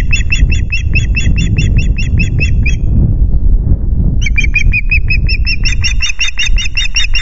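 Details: Osprey at the Loch Garten nest with its chicks, 5 July: a run of fast piercing chirps stops for about a second and a half, then resumes even faster and louder, with constant low wind noise underneath.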